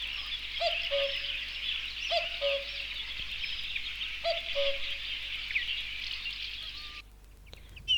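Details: Three soft, falling cu-coo calls from a common cuckoo, repeated every second or two, set against a steady wash of high, busy songbird chatter that cuts off near the end.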